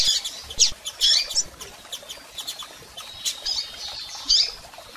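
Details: Double-collared seedeater calls from both sexes, aimed at rousing a male: clusters of high, slightly rough chirps and short twitters, with pauses and scattered clicks between them.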